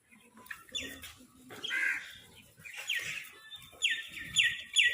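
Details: Crows fighting over food give harsh, scratchy squawks in short bursts that come every second or so, with quieter rustling and faint low background noise between the calls.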